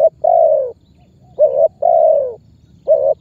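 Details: Rich, mellow spotted dove coos used as a pressing lure call to draw other birds into calling; short clipped notes alternate with longer downward-sliding coos in a steady rhythm.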